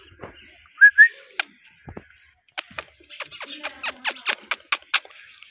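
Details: Indian ringneck parakeet kept as a pet, giving a pair of short rising whistled notes, then a run of sharp clicky chatter notes repeated in quick bursts, with faint room noise between sounds.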